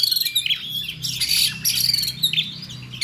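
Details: Oriental magpie-robin in fighting song used for mental training: dense bursts of harsh, scratchy high notes and squawks with brief whistles over steady background hiss and a low hum.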